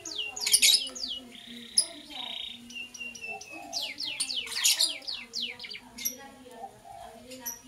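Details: Morning lovebird chirps: sharp descending high notes in bursts, loud crackling squeaks near the start and middle, and a short buzzy rasp, with faint lower chatter behind.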